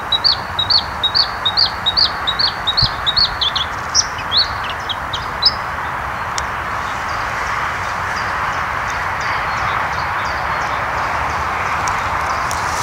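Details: White-spotted bluethroat delivering a run of rapid, high, repeated ticking and chirping notes for about six seconds, then falling silent while steady rushing background noise continues.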